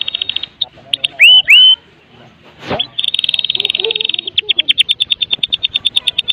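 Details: Medan white-rumped shama in kretekan song meant to coax other shamas to sing: rapid high rattling trills, two loud rising whistled sweeps, a short pause, then a long, steady run of repeated sharp high notes.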